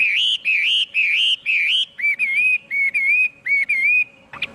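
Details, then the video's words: Chinese hwamei giving rich, wavering whistled phrases, first four long rising notes, then several shorter level whistles, ending with a sharp burst of sound. "Tiếng chim hoạ mi hót không tạp âm"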